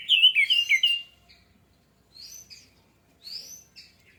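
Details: Orange-headed thrush song, meant as a lure to start singing: a brisk burst of bright, slurred whistles lasting about a second, followed by sparse, thin, high notes after pauses.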